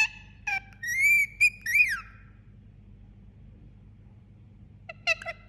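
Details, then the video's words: Indian ringneck parakeet, a pet calling in its sleep indoors: a couple of short chirps, then a sustained rising-and-falling whistled note, about two seconds of calling, a long quiet gap, and a brief chirp near the end; faint background hum. "Cute Sleeping Parrot Making Sound"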